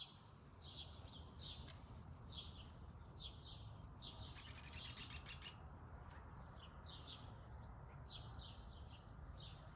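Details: A male Downy Woodpecker calls at a backyard bird feeder in Calgary, Alberta, at 1:14 pm on 27 June 2021: short, sharp high chirping notes with a quick rattling burst midway, over a low rumble of wind or traffic.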